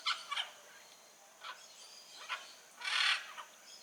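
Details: Blue-and-yellow macaw in the wild: a few brief hoarse squawks, then one loud raspy screech lasting about half a second, followed by a short softer note.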